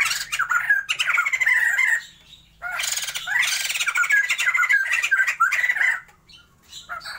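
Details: Raucous cackling from a caged breeding pair of Sumatran white-crested laughingthrushes, two long loud bursts of harsh, harmonic laughter separated by a brief pause, with trailing chatter at the end.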